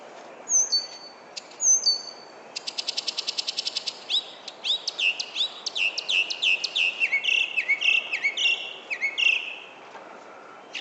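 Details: Wild bird living in a back yard in San Francisco, recorded at sunset on 31 July 2014: high whistled notes, then a fast rattling trill and a run of repeated falling chirps, clear over a quiet background.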